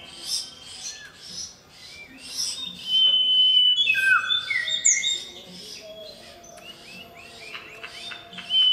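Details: Male common iora (cipoh) singing loudly to call a female: varied sharp chirps and clear whistles around high pitch, with a long level whistle and downward-sliding notes, delivered in quick succession.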